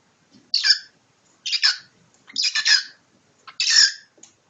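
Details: Cockatiel in a mock battle with its owner: four rasping, noisy squawks in a row, each under half a second, spaced about a second apart, with faint clicks between.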